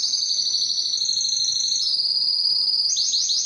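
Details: Belgian canary singing to attract females for breeding: a continuous, piercing high trill that steps slightly in pitch, finishing with a burst of quick chopped notes.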